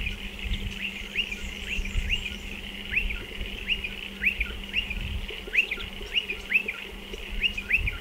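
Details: Burrow-nesting Striated pardalotes at a dry stone wall: a long, even series of sharp high chirps, roughly two per second, fairly quiet against low rumbling noise and a steady hum.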